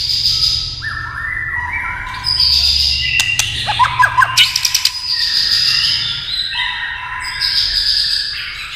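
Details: Tail-tapping clicks stimulate a white-rumped shama into song: long, bright whistled phrases with stepped and level notes, broken midway by a run of rapid sharp tapping clicks before the whistling resumes.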